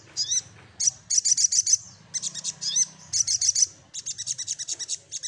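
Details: Little spiderhunter singing to seek a rival: loud, very high chattering bursts of rapid repeated notes, in clusters of about four to six, with short pauses between bursts and a faint low hum beneath.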